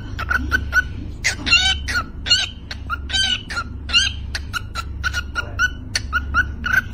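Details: A pet parrot sings a "Happy New Year" song in quick, harsh squawks and clicks, repeated rapidly in a tune-like string over a low steady hum.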